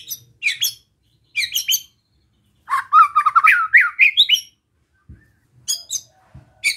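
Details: White-rumped shama's relaxed besetan, used to stir other shamas: sharp high harsh bursts, a mid-pitched rolling warble, then more spaced sharp chips.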